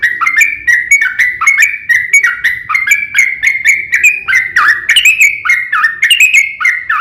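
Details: Vigorous fighting song of a Yellow-vented bulbul, long and rapid, played to provoke other bulbuls to sing. Rolling streams of bubbly, liquid notes tumble over one another, with a louder, busier flurry near the end.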